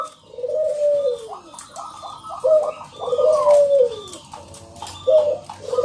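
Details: Vocal local zebra dove singing to coax other doves into song: long, mellow, descending coos alternate with stuttered, higher, rolling notes, repeating in phrases of a few seconds.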